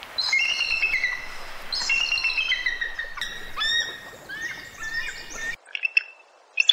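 Bald eagle giving thin, high chittering whistles in quick falling bursts, ending in a few sharp chips, over faint steady hiss.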